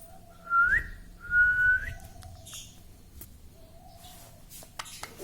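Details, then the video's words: Talking pet parrot indoors; two loud whistled notes, each level then flicking upward, followed by quiet low rumbling and a few faint clicks. "parrots talking papa"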